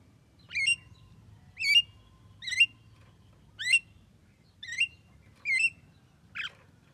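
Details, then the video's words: Javan myna, reported to talk, repeating a wavy, looping whistled phrase seven times, about once a second, each phrase similar and ending with a brief harsher note, steady low background hum. "JALAK KEBO BISA NGOMONG"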